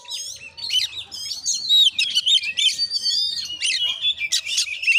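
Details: Fighting Oriental magpie-robin recorded at a village home in Muko Muko regency, Bengkulu, Indonesia; lively chattering song mixing whistled slurs, mimic-like phrases and scratchy notes, with faint low background murmur and hum.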